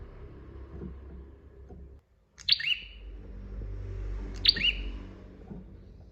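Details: Master recording of a bar-winged prinia (prenjak) in full voice: after a short break in the low background rumble, two high, sharp chirps with buzzy descending tails ring out roughly two seconds apart.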